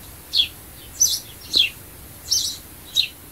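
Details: Sparrow sound for attracting birds: five clipped chirps spaced about half a second apart, some thin and high, others fuller and buzzier, against light hiss.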